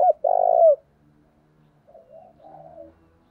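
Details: Spotted dove kept as a lure for wild doves, thổ-style voice, giving one loud, low, rolling coo phrase that ends in a slight upward inflection, followed by faint softer coos and quiet background rumble.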